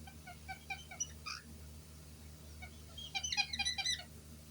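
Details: White-bellied caique parrots giving high, rapid, scratchy chirps, a loose series early on and then a dense burst of squeaky notes near the end, over a low steady hum.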